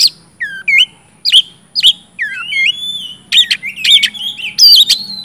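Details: Oriental magpie-robin in loud 'gacor ngeplong' style song, used as a lure to get silent or lazy magpie-robins singing: clear whistled notes sliding down then up, separated by short pauses, ending in denser rising whistles and harsh buzzy bursts.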